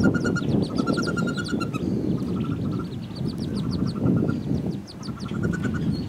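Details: Wood duck ducklings in a nest box, eggs laid by two or three hens, plus a hooded merganser chick, 2013; continuous busy peeping amid loud low shuffling.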